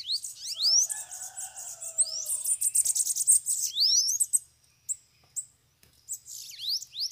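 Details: Bananaquits (sibite), several arriving free near a cage during a lure session: rapid high-pitched buzzy song of sharp rising notes and dense trilled bursts, with lower whistled notes of another bird early on and short pauses.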